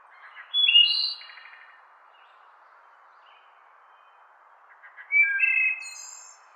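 Wood thrush singing two flute-like phrases about four seconds apart, clear layered notes, the second ending in a thin, high, shimmering trill; otherwise quiet.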